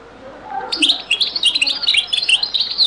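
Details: European goldfinch in a very old Beni Messous recording of the zaboka ('les avocats') song style: a rapid, continuous, liquid twittering phrase of high jangling notes starting after a brief quiet moment, over light background hiss.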